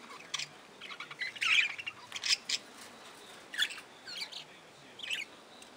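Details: Budgerigars in an aviary chirping and squawking in quick clusters, some calls warbled and slightly harsh, with short quiet spells between the bursts.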